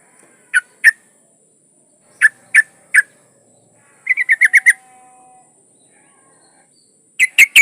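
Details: Female yellow-vented bulbul in breeding condition calling a male: scattered short bubbly notes, then a quick run of six chattering notes, then three more. A faint steady high hum runs throughout.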